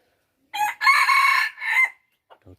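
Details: Red junglefowl kept as a decoy bird, recorded in 2021, crowing once: a short opening note, then a loud, harsh, drawn-out middle phrase and a falling final part, about one and a half seconds long, over a quiet background.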